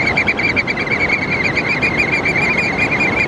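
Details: Oystercatchers with calls likened to laughter. Rapid, regular shrill piping notes run without a break at a steady high pitch, partly buried under strong broadband wind or wave noise.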